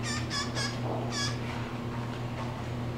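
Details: Male blue jay seemingly addressing the camera, giving four quick harsh, buzzy calls rich in overtones within the first second and a half, then falling quiet over a steady low hum.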